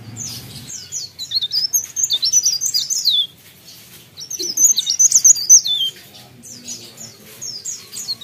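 Mountain Leaf Warbler song: rapid, high, thin twittering phrases of quick rising and falling notes, delivered in bursts a few seconds long with short pauses between.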